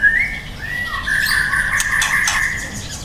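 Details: Young white-rumped shama giving a long, steady, slightly rough whistled phrase that holds one pitch for nearly three seconds, with a few brief clicks over it.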